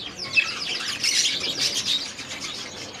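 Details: Budgerigars in an aviary, a flock chattering continuously in busy overlapping high warbles and chirps with scratchy notes, no single bird standing out.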